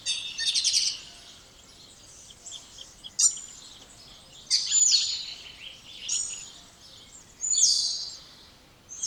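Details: Song of a spotless starling made of short, harsh, rattling and crackling bursts separated by quiet gaps of one to three seconds, with no long whistles.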